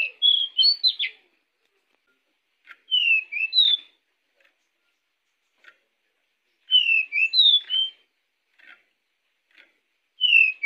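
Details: Pied bushchat song played as a lure for other birds: quick whistled phrases with sharp slurred notes, bursts every three to four seconds separated by faint ticks and short clicks, otherwise silent background.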